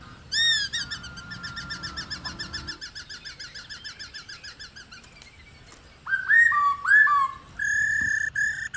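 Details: Female black-throated laughingthrush rò calling to draw males into song: a rapid string of short notes that gradually drops and fades over several seconds, a quiet gap, then upswept whistles and flat ringing notes.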